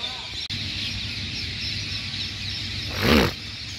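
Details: Around a hundred thousand ringneck parrots in big trees at Sri Chamundeswari Sugar Factory Quarters on an early morning, before they fly off to feed, fill the air with a steady wall of shrill, overlapping chirps and screeches; one louder harsh squawk rises near the end.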